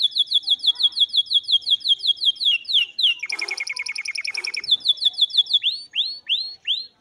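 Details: Canary song for training: fast trills of clear repeated whistled notes, a buzzy rapid roll in the middle, then slower looping upslurred notes repeated about every half second at the end.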